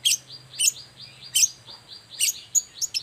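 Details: Long-tailed shrike's lively morning song, played so that quiet shrikes answer: spaced, grating chirps mixed with sharp high whistles and softer notes, becoming quicker toward the end.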